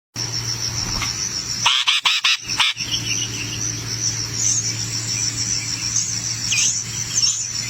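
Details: Fussy nestling birds calling while being fed in the nest: an unbroken, shrill, high-pitched buzzing chorus, with a short burst of loud rustling and clicks near the middle.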